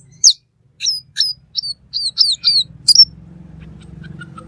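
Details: Black magpie (cucak keling) in full 'gacor' song, made as a tutor recording: sharp high whistled notes and short downslurred chips in a quick series, then a faint low rumble in the background.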